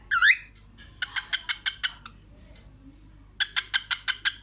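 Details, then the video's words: Cockatiel in front of a mirror producing a funny laugh: a quick looping whistle followed by two rows of rapid, scratchy clicking notes, about six to eight in each run. "Cockatiel bird watch her in mirror and funny laugh"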